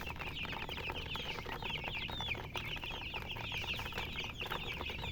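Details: Chorus of chirping coloured chickens and a murgi hen: rapid, thin, rising peeps from numerous birds crowd together continuously, with one clearer sliding chirp standing out midway over low background noise.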